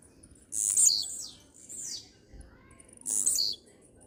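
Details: Singing blue-black grassquit (tiziu): a loud, very high buzzy burst, a softer downslurred note, then another sharp buzzy burst about two and a half seconds later.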